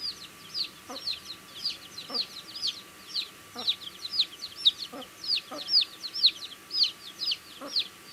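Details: Eating baby chicks chirp in a lively overlapping chorus of high arched peeps, uneven in rhythm, with dull pecking taps recurring about once a second.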